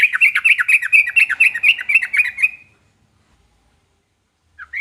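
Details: Trucukan, the yellow-vented bulbul, singing to draw a response from any other trucukan: an even, bouncing chatter of rapid liquid notes for almost three seconds, then quiet and a final short note.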